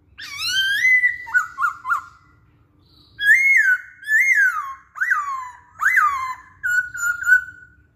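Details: Masked laughingthrush song used to coax other songbirds to sing: loud rich whistled phrases, some sharply rising then falling, in bursts with short pauses, ending in a quick run of repeated notes.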